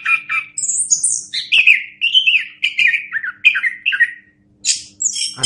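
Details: Orange-headed thrush song meant as a tutor recording for other birds: high whistles, then a run of mid-pitched rich descending notes repeated about every half second, ending in scratchy bursts.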